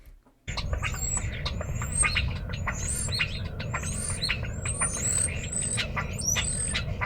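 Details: European Starling calls: a dense, continuous chatter of clicks, rasping squawks and short whistled notes, including high slurred whistles, over steady low rumbling background noise.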